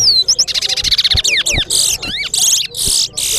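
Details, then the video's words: Large-billed seed-finch (towa towa) singing in a bird race competition at Sheriff Street bird ground, Guyana: fast, high song of rapid trills, sweeping whistles and buzzy notes with barely a pause, with faint counting voices beneath. "TOWA TOWA BIRD RACE"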